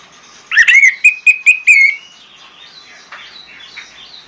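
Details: Orange-headed thrush song used as a training lure to teach other birds to sing: a clear run of five or six loud whistled notes around one pitch, quickly repeated, then fading into soft scratchy warbling.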